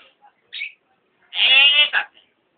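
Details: Hill myna copying human speech learned from vendors shouting outside the house. A short nasal note, a pause, then a long harmonic, voice-like syllable ending in a clipped second sound.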